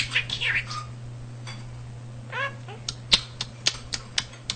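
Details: Talking pet budgerigar, male and self-taught at home, gives a few warbled speech-like phrases, then a series of sharp clicks roughly every half second, over a faint low hum.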